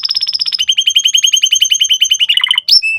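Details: Lively canary song to teach young canaries: a very fast high trill, then a long run of quick repeated lower notes, a few descending slurs, a sharp upward squeak and a final steady whistle.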